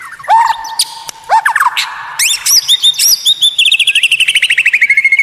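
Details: White-rumped shama singing unusual, rare phrases: clear low whistles, then high buzzy notes and a rapid rattling series of repeated rising chips.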